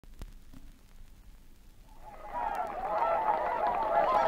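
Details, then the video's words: Whooper Swans at Matsalu, field recording from a 1979 Soviet LP; near-quiet for two seconds, then a flock swells in with dense overlapping honking, trumpet-like calls growing louder to the end. "Whooper Swan"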